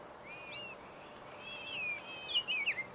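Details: Male rose-breasted grosbeaks jostling at feeders stocked with sunflower seed, suet and grape jelly; slurred whistled notes, rising and falling, build from quiet to louder over three seconds.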